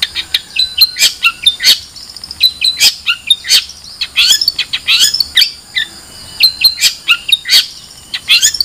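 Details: Long-tailed shrike delivering a fast, varied song of sharp chips, scratchy notes and brief whistles, with a faint steady high hiss behind it.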